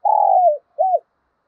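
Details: Decoy spotted dove used to provoke wild doves into calling, voice style called thổ sấm: one long, level, slightly falling coo, then a short arched coo after a brief pause. No other sound.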